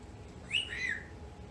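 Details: Pet female African grey parrot fighting bedtime on New Year's Eve: one short clear whistle, rising and then sliding downward, with a quiet room hum behind it.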